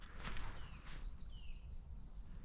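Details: A Yellowhammer sings a full song on a foggy late-February winter morning: a quick run of about eight high, thin notes, then a long drawn-out final note, over a low background rumble.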